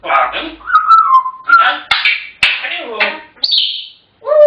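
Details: African grey parrots alternate speech-like chatter with a steady mid-pitched whistle and a higher flat whistled tone, and loud clicks break in between phrases.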